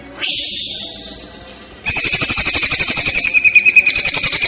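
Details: Greater green leafbird on a masteran training recording, platuk-versus-cililin style with pauses: an opening hissy rush, then a quick, loud string of hard, ringing notes repeated about four times a second.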